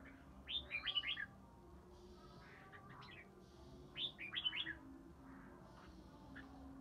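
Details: Early-spring ché song from a three-season Ba Tơ red-whiskered bulbul: a lilting phrase of slurred whistles repeated after roughly three seconds, with softer chirps and a background hum between.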